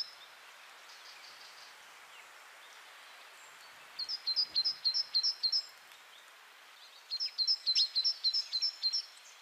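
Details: Great tit winter song: two bursts of quick, high, monotonous whistled two-note high-low phrases, each repeated about seven times in a bright rhythm over faint background hiss.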